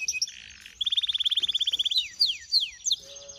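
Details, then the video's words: Brambling–canary hybrid delivering a buzzy phrase, then a rapid trill of high repeated notes, followed by several downslurred whistles and a steady tone. "Гибриды (вьюрок х канарейка)"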